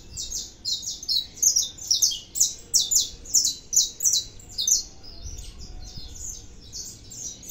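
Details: Saffron finch song of rhythmic, evenly spaced high chirped phrases, roughly three per second for five seconds, then fading into softer, faster twittering.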